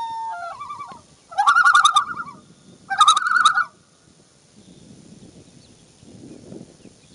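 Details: Common Loon with its first chick, Minnesota, morning of June 2, 2015: a soft wavering note, then two loud, quavering, laughing bursts about a second long each, followed by faint low water or wind noise.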